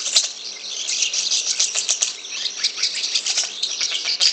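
An Asian pied starling gives a harsh, raspy, continuous chatter full of rapid clicks and grating notes, with no clear whistles.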